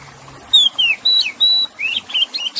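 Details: Oriental magpie-robin (kacer) delivering bright whistled notes, one falling, one flat and held, then a set of fast rising chirps near the end, over soft flowing water; played to get stressed, silent birds singing again.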